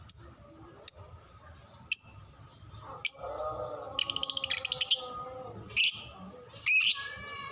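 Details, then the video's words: Lovebird sounds used to train young birds to sing: single sharp high chirps about once a second, a fast rattling trill, then two longer, louder chirps. "masteran paud belajar bunyi"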